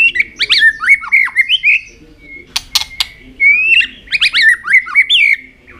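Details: White-rumped shama in fighting song with tail flicking, meant to stimulate other shamas: rapid varied whistles and slurred warbles in bursts, broken midway by a couple of sharp clicking snaps before the phrases resume.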